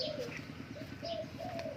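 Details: A kept Zebra Dove, said to coo well, gives soft, trilled cooing phrases in bursts under a second long. Brief higher chirps from other small birds sound in the background.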